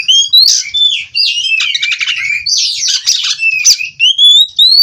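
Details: Captive Oriental magpie-robin (kacer) of the Cirebon strain from a breeding farm, singing nonstop in the rolling style called ngerol: rich varied whistles, slurred rising notes and buzzy trilled bursts with barely a pause.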